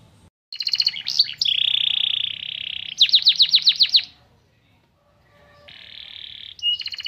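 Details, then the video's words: Canary singing white-eye (pleci) material to excite birds. Sharp high notes, a long buzzy rattle and a burst of rapid falling chips come first, then a quiet lull, a softer buzzing trill, and loud notes returning at the end. "Burung kenari bocor materi pleci untuk menaikan emosi"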